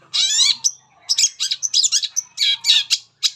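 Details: Long-tailed shrike in loud, harsh song used as a lure for other shrikes, a string of grating, raspy squawks and scratchy bursts separated by brief gaps.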